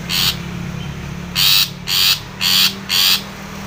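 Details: Long-tailed shrike calling out a rival: one rasping note, a pause of about a second, then four harsh buzzy notes in quick, even succession.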